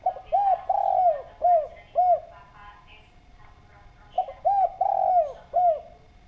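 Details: Spotted dove in lively, clear voice, used as a lure to get other doves calling, gives rhythmic cooing phrases of five soft hooting notes, the middle note drawn out, with the phrase repeated after a short pause.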